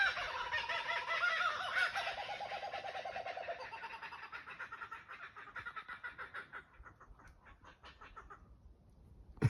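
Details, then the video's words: Kookaburra laugh: loud, fast, cackling chatter for about four seconds. It then trails off into softer, spaced, pulsing notes that fade out. A short sharp click comes at the end. "Sounds of kookaburra"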